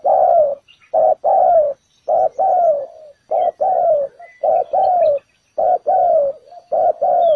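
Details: Spotted dove calling as a trapping decoy placed on the ground. Deep, resonant coos come in close pairs, a short note then a longer slightly falling one, repeated steadily with little pause. Faint high chirps of other birds sit behind them.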